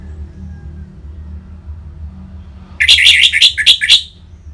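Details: Orange-headed thrush ngeplong song, played to make caged birds respond: near silence with a low hum, then a quick series of about eight loud, sharp whistled notes.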